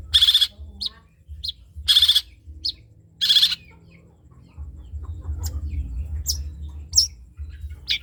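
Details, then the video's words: Trotol-style long-tailed shrike song, a model for other songbirds to learn: three loud harsh buzzy bursts with small chips between, then scattered thin high notes over a low rumble. "CENDET COCOK DIBUAT MASTERAN BURUNG CENDET TROTOL"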